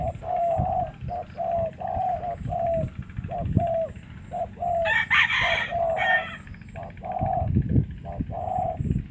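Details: Spotted dove from Cà Mau cooing: a steady run of short, hollow, low coos in quick succession, repeated through the whole stretch, broken midway by a loud rooster crow and low background rumble.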